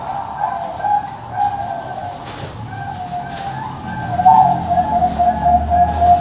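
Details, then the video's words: Male zebra dove (perkutut Bangkok) from a breeding farm in Tasikmalaya, West Java, giving a low purring song, mellow trilled coos near one pitch, repeated in phrases, with faint background rustle and distant sounds. "PEJANTAN C7 BURUNG PERKUTUT BANGKOK"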